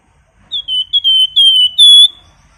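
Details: Flamboyan bird in active singing form, used as a master recording for training other birds: one phrase of clear, high whistled notes, a short rising note, then longer level whistles, ending in a bright held note. Background is quiet.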